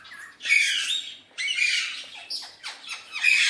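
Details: Pet Alexandrine parakeet, hand-tame, playing with its mirror, gives long harsh raspy squawks, two extended screeches followed by a run of shorter rough notes, loud and close in a quiet room.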